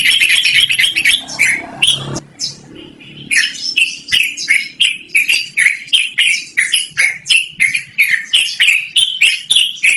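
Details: Yellow-vented bulbul in a long, continuous 'ngerol' song, loud and melodious, used for luring or training birds: bubbly, slurred notes repeated about three times a second after a brief broken opening.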